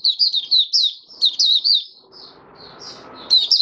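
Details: Caged oriental white-eye, open song on 20 January 2022 after its monthly deworming: quick high twittered notes, then a few sparser chirps over light hiss, ending in a renewed twittering burst.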